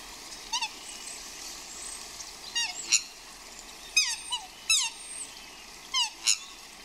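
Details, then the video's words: Swans squealing and roaring in courtship outdoors in the rain: bursts of squeaky, wavering high calls, some sliding downward, in clusters at irregular intervals over a steady hiss of rainfall. "Outdoor Swans Squealing and Roaring Like Crazy | Swan Love in the Rain"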